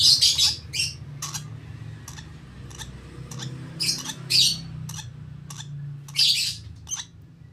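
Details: 32-day-old lovebird chick begging while hand-fed, repeated harsh rasping squeals in bursts roughly every second or two, interspersed with clicks, over a low mechanical hum.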